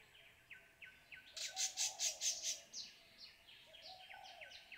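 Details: Indochinese Blue Flycatcher at a forest bird hide beside Kaeng Krachan National Park, Thailand, giving a different call: short high ticking notes, then a burst of five loud, harsh chattering notes, over a faint rural hum.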